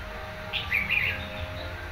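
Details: Caged red-whiskered bulbul, wild-caught and kept for a month, utters a brief cluster of sweet, chirpy warbled notes lasting about half a second, with low background hum throughout.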